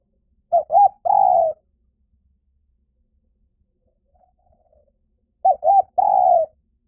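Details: Spotted dove giving a decoy call meant to draw wild doves in quickly. Two phrases roughly five seconds apart, each with two short clipped coos followed by one longer, slightly falling coo. Quiet between phrases.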